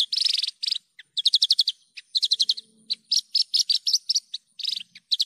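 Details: Clear tutor recording of an actively singing Javan bush lark: a buzzy trill, then varied bright chirps in quick groups of three to six, with short gaps between phrases, keeping a bouncy, chattering rhythm throughout.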